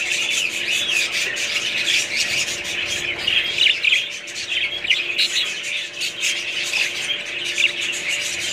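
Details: Flock of budgerigars giving constant overlapping chirps, squeaks and warbles, a busy high chatter with no pauses.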